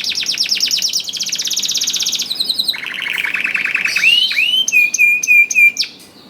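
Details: Canary in full song, used as a lure so other canaries sing: long fast rattling trills at high and middle pitch, then a steady buzzy roll, ending in short ringing upslurred whistles repeated several times.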